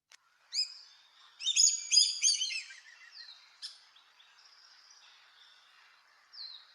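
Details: Common Black Hawk in southeastern Arizona's Madrean Sky Islands giving a quick run of thin, high, piping whistles that rise, then fall and fade, a little like a weak eagle or an osprey.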